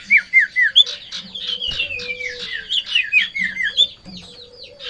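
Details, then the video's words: Sirtu in breeding condition and excited by a rival or female sings a busy, jumbled stream of short whistled notes with a sliding falling line. A faint low hum and other chirps are also heard. "Sirtu Ngamuk Narung !! Garuda Birahi Over"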